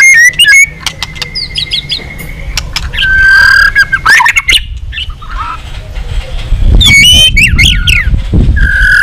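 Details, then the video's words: A white-rumped shama delivers a long song to provoke others. Drawn-out whistles and warbled phrases are broken by sharp clicking notes, with a rumbling noise underneath that swells toward the end. "Luyện giọng dây dài cho lửa.chòe lửa đập tạch kéo dây hay. ép giọng kích lửa hiệu quả"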